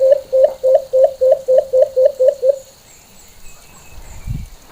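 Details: Full normal call of the White-eared brown dove (Alimokon): nine low, hollow hoots in quick, even succession, roughly three per second, then the series stops and only faint background noise and a soft thump remain.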